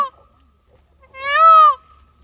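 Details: Peacock, an Indian peafowl, walking freely on Pfaueninsel in Berlin; the tail of one call, then a single loud, strained, nasal wail rising and dropping in pitch, otherwise near silence.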